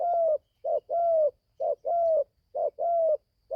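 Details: Young spotted dove from Gia Lai, Vietnam, taken to the forest for training for the first time, repeats steady two-part coos, a brief note then a longer drawn coo, with clean silence between phrases.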